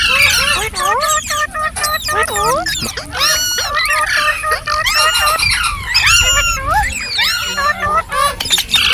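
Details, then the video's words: Green parrots chattering continuously, many overlapping squeaks and arched whistled notes repeated rapidly, forming a busy, lively chorus. "Beautiful Green Parrots Talking | Funny Parrot Sounds"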